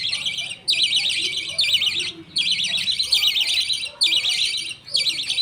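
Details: Budgerigar colony at feeding time, father budgie feeding millet paste to two chicks as the mother and other budgies wait; four long, wavering, grating chatters of over a second each, separated by brief pauses.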